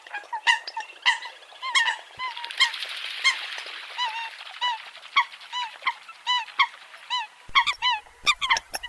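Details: Eurasian coot calls: nasal notes that bend downward, repeated in a steady series, with a rushing hiss for a few seconds in the middle and sharp knocks near the end.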